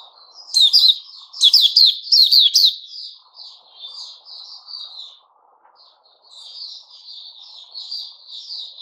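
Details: White-rumped shama singing, recorded 29 August 2021: loud bursts of rich, twittering whistled phrases in the first three seconds, then a softer, continuous run of warbled notes over a faint low hum.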